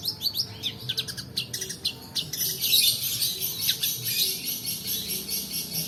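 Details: Long-tailed shrike roll song used as a lure for reluctant singers and for training: rapid chattering notes that merge into a harsh, hissing rasp lasting several seconds.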